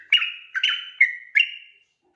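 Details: Sooty-headed bulbul at night, recorded to train other birds: four bright whistled phrases, each a sharp upslur into a held level note, spaced about every half second, then silence.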